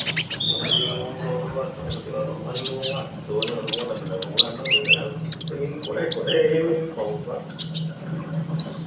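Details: Konin song with cricket sounds, used to lure wild birds and train caged ones. Busy high chirps, looping whistles and squeaky notes are set against a constant low hum and mid-pitched chatter.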